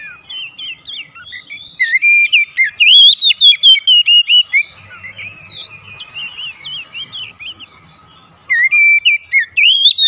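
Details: Captive Oriental magpie-robin singing gacor during daily therapy, a long energetic string of rapid, bright whistled notes bending up and down, a quiet pause with low background hum, then a fresh loud burst of repeated whistles.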